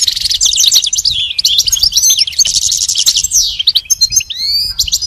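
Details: Pet goldfinch song played as a training lesson for a caged goldfinch: a rapid, continuous stream of high twittering notes, fast trills and buzzy slurred phrases, ending with a few clear rising and falling whistles.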